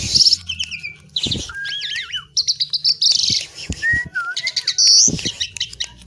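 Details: Jalak suren, the Asian pied myna, delivering an energetic song of harsh buzzy bursts, rapid chattering notes and clean looping whistles, switching quickly between rasp and tone.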